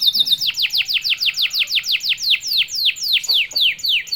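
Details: Canary singing to provoke other canaries: long series of descending whistled sweeps, evenly repeated around four per second, loud and clean.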